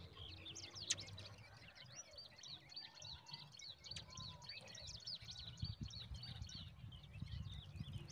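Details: Newborn zitting cisticola chicks being fed a huge mantis by a parent; a steady stream of high, squeaky chirps repeats quickly throughout, with low rumbling noise below.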